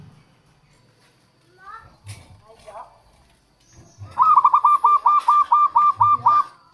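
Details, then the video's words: Local zebra dove (perkutut) singing as a lure for wild doves: after a few faint scattered sounds, a loud, rapid stuttering string of about ten clipped cooing notes at an even pitch, with low thuds underneath. "suara perkutut lokal untuk pikat dan pancingan"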